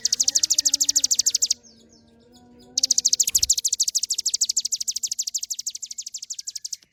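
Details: Ciblek gunung, the hill prinia, singing steadily: high, bright notes hammered out about three per second in a burst of over a second, then a brief pause and a longer four-second run. A faint low thump falls between them.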